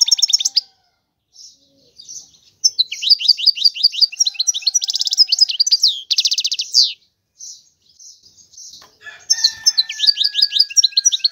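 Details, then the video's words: European goldfinch, called a clean royal goldfinch singing nonstop: fast liquid twittering phrases broken by brief pauses, with dense buzzy trilled bursts in the middle and a renewed run of sweeping notes at the end. "تغريد الحسون هو اجمل صوت العصافير"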